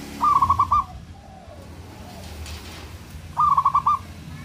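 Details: Local Indonesian zebra dove calling to rouse and provoke rival birds: two identical phrases about three seconds apart, each a rapid rolling run of six or so soft cooing notes. Faint low hum throughout.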